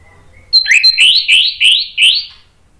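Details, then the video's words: Orange-headed thrush singing the open ngeplong style used as a lure for stalled birds: five loud, rising whistled phrases about a third of a second apart, each ending in a sharp upward slur. "PANCINGAN ANIS MERAH NGEPLONG GACOR memancing BUNYI jadi NYAUT"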